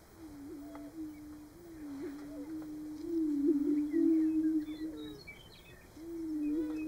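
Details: Greater prairie-chickens on a Nebraska booming ground in March, low mellow booming notes following each other closely, a sustained humming drone with small wavers and faint higher calls.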